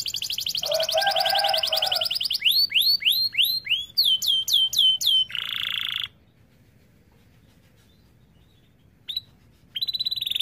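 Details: Canary song used to coax other canaries into singing: rapid high trills, a series of swooping upslurred notes, a buzzy trill, then silence before a brief trill resumes.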